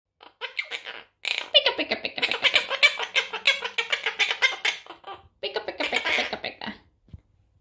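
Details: A pet monk parakeet (Quaker parrot) playing peekaboo talks, chattering in rapid, high, raspy mimicked speech with short squawky phrases, pausing briefly between bursts; a person's laughter may mix in.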